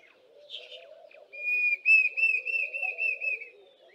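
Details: Diederik cuckoo gives a loud, high, clear whistled series of quick, wavering notes for about two seconds, with Laughing Doves calling in the low murmuring background.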